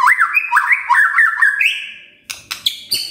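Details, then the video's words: Magpie-robin song played as a lure to make white-rumped shamas sing: quick, looping whistled phrases, about four a second, sliding up and down, then a clear held note and several sharp, high chips. "Pancingan Murai Gacor"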